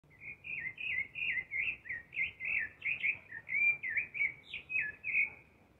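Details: Thrush (zorzal) singing in spring, a steady run of short, slurred whistled phrases, about two each second, varying slightly in pitch, over a faint low background hum.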